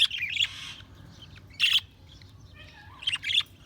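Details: Short bursts of scratchy budgerigar chirps and squawks, three clusters spread over a few seconds, with quieter twittering between them.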